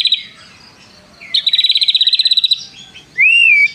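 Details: Brief white-rumped shama passage with prinia mimicry: a long, evenly pulsed buzzy trill lasting about a second, then a clear whistled note that rises and levels off.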